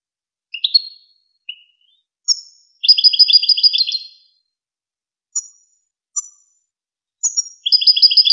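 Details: European goldfinch singing in the Wakr Touzgha style, used to teach young goldfinches and hybrids: scattered short, thin call notes broken by two fast jingling, twittering phrases, each over a second long, against silence.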